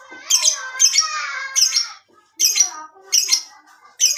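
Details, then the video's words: Lovebird giving ngekek panjang, a long chattering song, here as four harsh, squawky bursts of rasping notes separated by short pauses. "Masteran Love Bird Lb ngekek Panjang"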